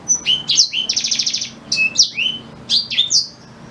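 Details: Continuous black-throated canary song for schooling a white-rumped shama, packed with fast trilled buzzes, sweeping whistles and sharp chips in quick succession for nearly four seconds.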